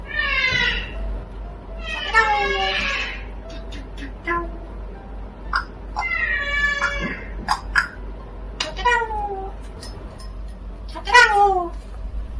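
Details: Indoor parrot vocalizing in loud, speech-like phrases with buzzy harmonic tones, interspersed with sharp clicks and short chirps, some phrases sliding downward.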